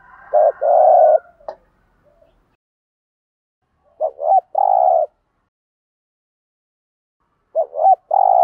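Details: Lure song of a spotted dove, 'thúc gù' style, played to make wild doves respond: three widely spaced phrases of low cooing, each a short doubled wavering note leading into a sustained hollow coo, with long silences between.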